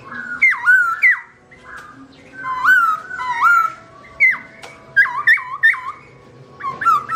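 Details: Black-throated laughingthrush (Garrulax chinensis) singing alone while its owner is away: a steady run of full, overtone-rich whistled notes, many dipping sharply and then recovering, in short rapid series.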